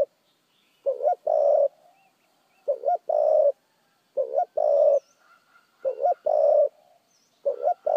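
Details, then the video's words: Spotted dove giving a rapid, well-formed cooing song: five phrases, each a quick wavering lead-in and a drawn-out mellow coo, spaced roughly every 1.7 seconds. Faint thin chirps of other birds are heard behind it. "chim cu gáy thúc gù tốc độ giọng gáy cực chuẩn"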